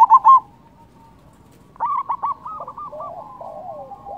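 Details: Zebra dove of the local type, cooing to make rival doves respond: three loud clipped coo notes, a silent gap, then a rapid burst of soft stuttering notes that slide down into a gentle warbling trail.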